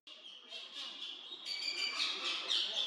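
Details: A captive Ashy woodswallow at the Bronx Zoo, New York, gives a dense run of harsh, buzzy chattering notes that grow louder and busier over three seconds; other birds may be calling in the background.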